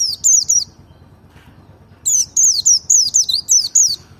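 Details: Merapi-type white-eye singing in double ngalas style to provoke other white-eyes: rapid runs of piercing high whistles, each note sweeping sharply down, about four per second, with a pause mid-phrase.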